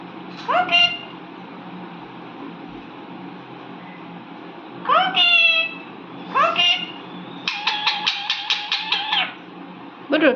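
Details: Pet Indian ringneck parakeet talking: separate upward-sweeping squeaky syllables, then a rapid series of about ten clipped repeated notes, over a low steady hum.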